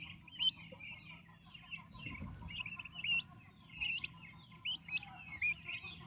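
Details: Growing turkey chicks under maternal care: bright rising peeps in irregular clusters, a soft rustle near the middle, and low background hum.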